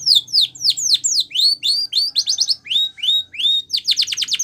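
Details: Training song from a canary: clear falling whistles and looping rise-and-fall notes, broken by short bursts of fast repeated notes, with a faint low hum underneath.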